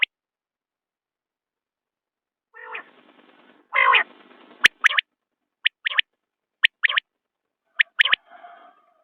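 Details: Common quail: soft wheezy notes lead into a louder nasal burst, followed by four quick, sharp three-note whistled phrases at a steady rhythm.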